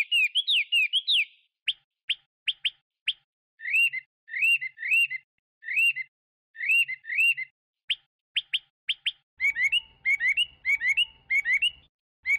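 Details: Chinese hwamei song opening with a fast tumbling run of whistles, then sharp upslurred notes and repeated looping whistled phrases at about two per second, ending in a denser varied run over a low hum.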